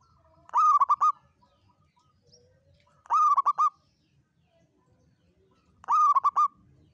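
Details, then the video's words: Local zebra dove lure song for trapping, in the long 'kuk 7' style; three identical short phrases of a soft coo followed by quick rolling trilled notes, each repeated about every three seconds, with a quiet background. "PANCINGAN PERKUTUT LOKAL KUK 7 PANJANG SUARA ANGKATAN UNIK"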